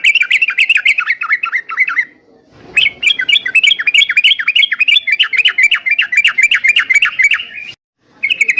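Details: Yellow-vented bulbul in vigorous song, used to train caged bulbuls to answer: fast bursts of bubbly, chattering notes repeated several times a second, broken by a short pause near the middle and a brief gap at the end.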